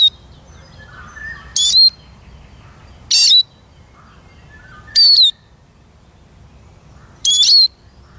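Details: Eurasian siskin giving five high, buzzy notes at uneven intervals of one and a half to two seconds, each ending in a falling whistle. Faint lower whistling from other birds comes between them.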